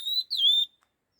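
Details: Two whistled notes from a red-tailed laughingthrush in fast stimulating song, the second longer, starting higher and gliding down before levelling off, followed by quiet.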